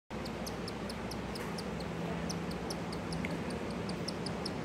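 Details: A baby cockatiel gives rapid, high, raspy begging chirps, repeated several times a second, while the father cockatiel feeds it.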